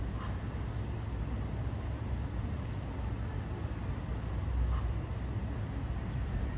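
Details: A steady low rumble of engines and water traffic fills the morning air, with faint wind and no animal calls heard.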